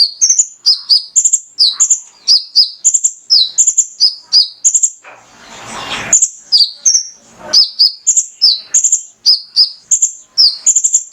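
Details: Energetic male mangrove whistler song meant to set other birds singing: a steady run of bright, high whistled notes alternating level and down-slurred, with a brief burst of broad rushing noise midway.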